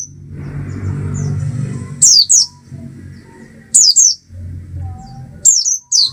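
Oriental white-eye giving very high, thin chirps in quick pairs, each pair falling slightly, repeated about every two seconds over a low rumbling background.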